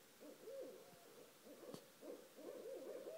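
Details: Pair of barred owls calling at night around 1:30 am just outside a home: looping, wavering hoots and caterwauling notes in quick overlapping bursts, steady and fairly loud against a quiet background.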